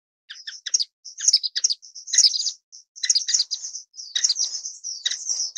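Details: Orange-cheeked waxbill (Estrilda melpoda) giving a busy run of high, thin chirps and short buzzy trills, overlapping notes suggesting several birds twittering together, quiet background.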